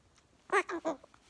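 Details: Pet Goffin's cockatoo, described as chatty, indoors: a short burst of three harmonic, voice-like chattering syllables in quick succession, with quiet human talk around it.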